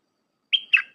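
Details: Red-whiskered bulbul flourish song used to train hand-raised young birds: a short fragment of two notes, a steady bright whistle then a lower warbled note, cut off at the end.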